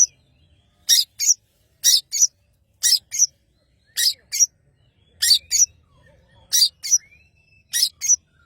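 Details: Long-tailed shrike from Madura singing vigorously: harsh, rasping notes struck in quick pairs, each pair repeated roughly once a second over a quiet background.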